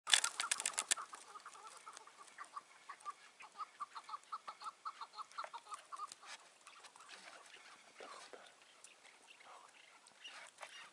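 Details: Chukar partridge caught at a roadside on the way back from the mountains on the morning of 15 March 2020, later released, gives a loud burst, then a fast run of harsh clucking chuck notes, three or four a second, fading.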